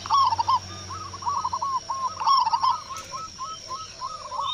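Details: Strong-voiced local perkutut (zebra dove) from Indonesia responding after a single lure. It begins with a loud trilled coo cluster, then another around two seconds, with softer repeated coos filling the gaps.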